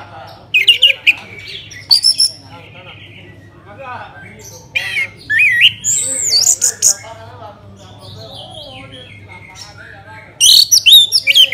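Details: Orange-headed thrush song, Bali, meant to encourage other birds to sing: scattered loud harsh and whistled phrases with sliding notes, long quieter stretches of soft warbling, and a final burst of loud rapid notes; low hum throughout.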